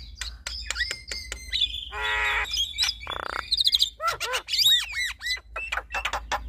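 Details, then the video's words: Male and female Javan mynas trading sounds: clicks and steady whistles, a loud grating ladder-like rasp, a buzzy burst, then repeated arched, swooping whistles and sharp ticks. "Duet Burung Jalak Kebo Jantan dan Jalak Kebo Betina Adu Mekanik Bongkar Isian"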